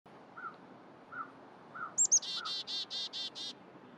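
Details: Black-capped Chickadee foraging in winter, November, upstate New York, gives two thin, high introductory notes, then a quick run of six harsh, buzzy 'dee' notes; faint low whistled notes repeat in the background.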